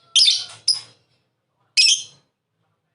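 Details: Short harsh, high-pitched lovebird squawks used to prompt another lovebird to call, two close together, then one after a pause.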